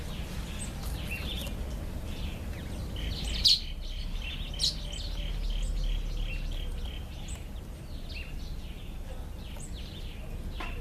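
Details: Black-eyed bulbul eating an apple gives a short run of bright, high chirps clustered over about two seconds, then scattered faint notes, against steady low background noise.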